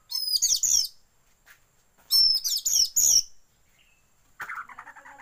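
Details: Oriental magpie-robin lure song meant to trigger tail-opening in kept birds, with white-rumped shama filler; two dense bursts of very high, scratchy whistles, then a lower, pulsed chattering rattle near the end.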